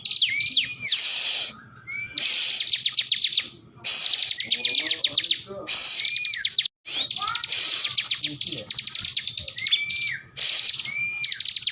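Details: A Bar-winged prinia (ciblek) held in its owner's hand keeps singing, giving loud, rapid trilled bursts mixed with high rising whistles, repeated every second or two, while a person speaks softly in the background.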